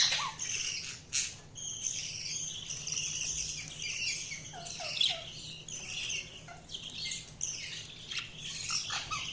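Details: Budgerigars chirping in a dense, continuous chatter of warbled and squeaky notes, several birds overlapping with a steady low hum underneath.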